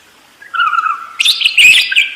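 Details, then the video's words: Budgerigar in a short phrase: a soft, drawn-out nasal note followed by a louder burst of buzzy, squeaky chatter. "SUARA BURUNG PARKIT ‼️ NGEROL DERES GACOR DOR"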